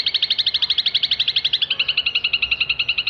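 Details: Long-tailed shrike in lively full song, used as a training recording for songbirds: a fast, even run of sharp high chirps, about four per second, gradually dropping slightly in pitch across three seconds.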